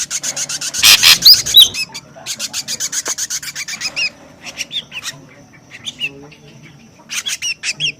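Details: Noisy ashy drongo lure recording: bursts of scratchy, rasping notes in quick series, broken by short upslurred whistles and brief pauses.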